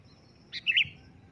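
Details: One loud sooty-headed bulbul call, a quick sharp note leading into a short, rich, rolling chirp, heard against a quiet low hum.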